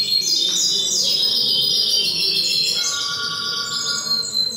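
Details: At a goldfinch and hybrid song contest held indoors in Cádiz, Spain, April 2019, a European goldfinch delivers continuous high tinkling twitters with a long descending slur, over steady background chatter.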